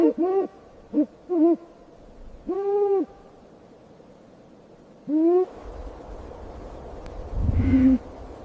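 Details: Snowy owl giving a series of chirps: short arched harmonic notes, then a longer, steady, nasal call, a sharp rising chirp, and finally a lower call over some rumbling background noise.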